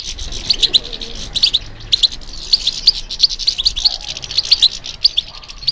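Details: European goldfinch singing with a dense, continuous stream of high, bright twitters and buzzy chirps, barely pausing, each note crisp and metallic.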